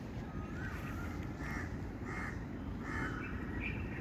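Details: Birds calling outdoors: short harsh, caw-like notes repeated roughly every second and a half, some paired, over a steady loud low rumble.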